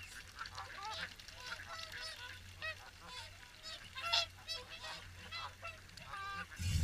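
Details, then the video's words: Swans at Caerlaverock during the morning feed, a dense chorus of nasal, honking calls overlapping from many birds, some rising, with a steady low rumble beneath. "Morning Swan Feed"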